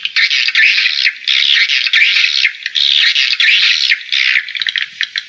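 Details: Bird calling at a house in Ho Tram, Vietnam, in August 2013: loud, harsh, scratchy squawks in bursts of about a second, repeated with brief pauses.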